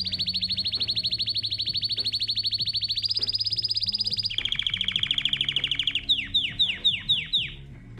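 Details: Belgian canary song: long, fast, buzzing trills on a steady pitch that shift higher then lower, ending in a few separate downward-swept whistles.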